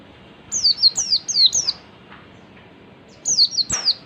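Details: Oriental white-eye in ngalas-style song, used as a lure to make other white-eyes respond: two bursts of five and three high, thin, down-slurred whistled notes in rapid sequence, separated by a short pause, over soft background hiss.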